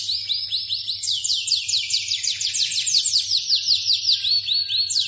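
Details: Second-generation captive Yorkshire canary in full song: a sustained high rolling trill of fast repeated sweeping notes, about two and a half per second, slowly descending then rising, over a faint low hum.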